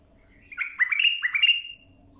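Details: Bulbul phrase used to tutor young birds: a loud, mellow run of three quick, warbled, fluty syllables, clean and close.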